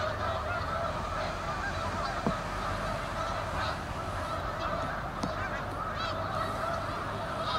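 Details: Large flock of Canada geese at South Utica Reservoir, Utica, New York, in November: continuous overlapping honking and nasal calls forming a constant din, with a few sharper individual honks standing out.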